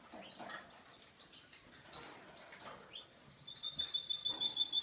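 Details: Russian canary, a yellow male ready for breeding from Boston, gives scattered soft chirps and high notes, then breaks into a loud, rapid, buzzing high trill that builds toward the end.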